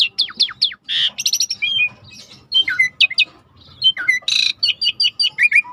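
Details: Rich starling song set over river sounds for training: dense run of downslurred whistles, harsh buzzy squawks and chattering notes, varied and fast, with a soft flowing water rumble below.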